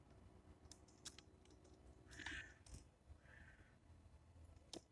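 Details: Titmouse at a bird feeder uttering two rough, buzzy call notes among scattered clicks and taps, with low background hum.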